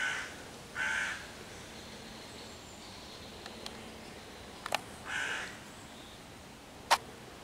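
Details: Persistent hooded crow scolding young raccoons hiding behind foliage near their tree hollow on 11 June 2023; three harsh caws separated by pauses, with a few sharp clicks in the quiet gaps.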